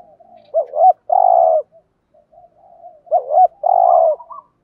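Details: Decoy spotted dove calling to lure wild doves: two phrases, each a quick rising double coo followed by a long, low, rolling purr, about two and a half seconds apart, with soft murmuring notes between.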